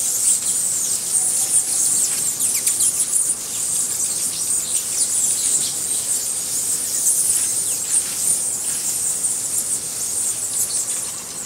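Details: White-necked jacobin (Florisuga mellivora), a hummingbird at Buenaventura Reserve, Ecuador, gives thin, very high squeaky notes in a rapid jumble over a steady high insect-like hiss.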